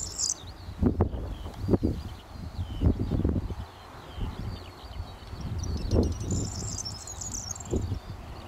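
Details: A corn bunting, probably male, perched in a bush at Deadman's Hill, Hertfordshire, England, in June 2013. It gives a high, brief jangling rattle late in the recording, amid strong wind buffeting and other distant warbling birds.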